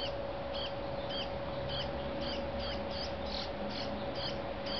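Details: A juvenile brown-headed cowbird being fed by a Dark-eyed Junco begs with short, high, arched chip notes about twice a second, over a steady low hum and background hiss.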